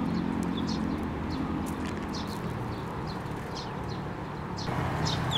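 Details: Sparrows at a Tenmangu shrine, 9 May 2024, flying onto a hand to take food. Short bright chirps scatter unevenly through the clip, partly masked by a steady low rumble of background noise.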